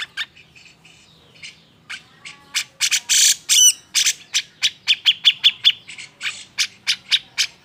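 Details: Cucak jenggot giving an emotional, agitated song to spur quiet birds into singing; rapid series of sharp chirps and harsh broadband bursts, quickening and fairly regular toward the end.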